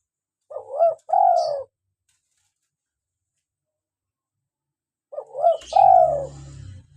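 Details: Local spotted dove cooing, used to lure wild doves and encourage caged birds to call. Two phrases, each a short two-part note then a drawn-out falling coo. A low rumbling noise follows the second phrase.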